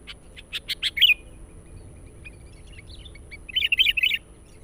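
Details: Lure sound of a sooty-headed bulbul: a burst of quick chirps rising into a warble, a quiet pause, then a string of bubbly rolling notes.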